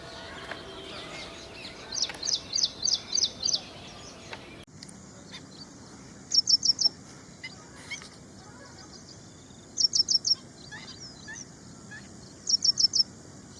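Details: Ashy prinia singing: a run of six high chirps, then after an abrupt break several short bursts of three or four very rapid, high, ticking notes spaced a few seconds apart, with faint scattered background sounds.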